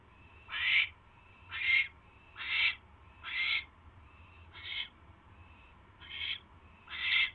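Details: Eight rasping, hissy owl screeches in quick succession, roughly one per second, as a male delivers a third mouse to his mate on a January night in 2016; low steady hum underneath.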